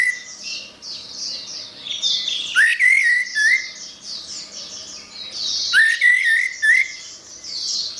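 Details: Orange-headed thrush song used for training songbirds: two loud phrases of rising, slurred whistles about three seconds apart, surrounded by a continuous chorus of softer, repeated high chirps.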